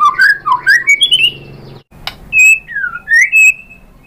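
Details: White-rumped shama singing a lure to draw replies from other shamas: a rapid run of rich whistled slurs climbing upward, a brief pause, then a sharp click and further looping whistles.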